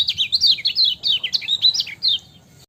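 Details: High, rapid twittering song of a lemon-bellied white-eye, delivered ciak style: dense, slurred chirps rising and falling in quick succession for over two seconds before stopping.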